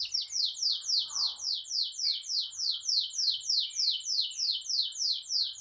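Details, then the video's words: Canary singing vigorously as a tutor for young birds and a prompt for silent canaries: highly regular downslurred notes repeated about three times per second throughout, with a faint lower warble. "Kenari GACOR NGEROL Cocok Jadi Masteran Burung Kenari PAUD dan Pancingan Kenari MACET BUNYI"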